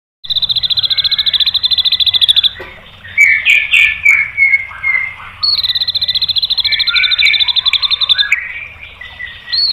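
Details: White-rumped shama song used to provoke other birds into singing: fast rattling trills of rapid repeated notes near the top of the range, broken by a varied jumble of whistled and chattering phrases, loud and clear.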